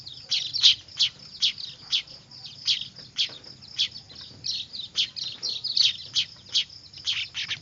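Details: Weaver (manyar) chicks, noisy and used as a lure: a steady stream of sharp high chirps, about two per second, some in quick doubles, over a thin high whine.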